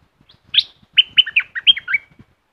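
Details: Streak-eared bulbul from southern Thailand singing one lively phrase: a high opening note, then about seven quick, slurred, bubbling notes stepping up and down, each sharply attacked, over a quiet background.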